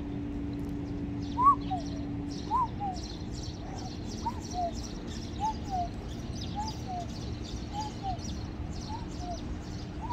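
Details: A cuckoo heard in the morning gives a falling two-note 'cu-coo', like a cuckoo clock, repeated about once a second over a steady low hum and faint high chirping; the bird sounds fairly large.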